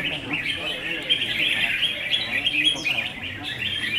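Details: Several red-whiskered bulbuls sing against each other in a singing contest: a dense stream of bright, bubbly chirps and short whistled phrases, with faint voices underneath.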